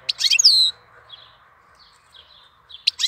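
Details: April goldfinch song, a rapid tumbling twitter ending in a long down-slurred whistle, followed by faint soft notes and a fresh burst of chirps.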